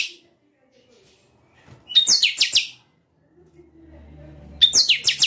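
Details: Captive chanchão repeats its short, high, bright song: a sharp whistle then rapid downward-slurred notes, heard twice, with a low hum and faint room noise between phrases.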